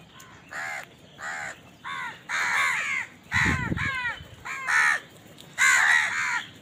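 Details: Series of about eight raspy caws from a house crow eating, roughly evenly spaced at first then overlapping, with a low thump partway through.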